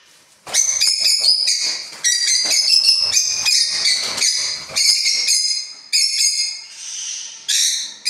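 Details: Household pet parrots calling: continuous loud, grating squawks and screeches in irregular bursts, some drawn-out and nasal, with brief gaps between outbursts.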